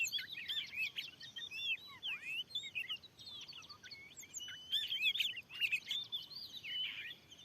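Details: Wild Oriental magpie-robin, described as very fierce, in a newly set-up field answering a lure: varied whistled song of rising and falling slurs and sharp chips, rapid and overlapping, over faint background hiss.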